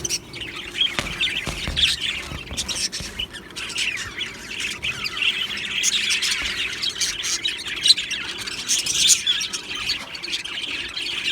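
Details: Aviary flock of budgies keeping up continuous chatter, a busy layer of warbles, clicks and grating squawks from numerous birds, louder peaks near the end.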